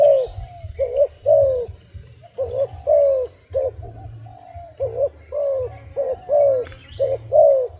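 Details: Mellow, rolling coos from a wild dove, repeated almost without pause in uneven groups, each note dipping in pitch, against a constant low hum.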